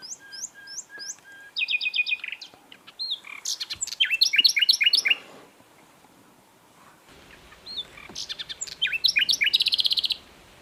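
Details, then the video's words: Asian brown flycatcher singing prolifically: high curling whistles and quick chirps, then a long run of rapid slurred notes, a quiet gap, and a final busy buzzy trill. "MASTERAN BURUNG SIKATAN LONDO GACOR"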